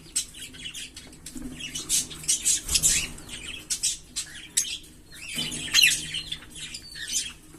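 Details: Green Fischer's lovebird pair chirping: dense high squeaky twitters and scratchy notes in uneven bursts, with some low thumps and rustling in the background.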